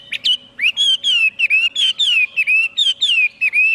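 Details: Chinese hwamei singing a loud run of clear whistled phrases, each slurred note rising then falling, repeated about three times a second with brief gaps; a faint steady low hum underneath.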